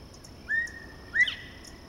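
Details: Northern bobwhite near Rebecca, Georgia, on May 22, 2014, giving two clear whistled notes about two-thirds of a second apart, the second swinging upward, over a faint steady high hum.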